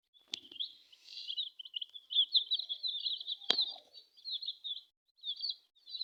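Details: Brood of colourful chicken chicks peeping together: dense overlapping high cheeps in a continuous chorus, with a couple of sharp clicks or taps.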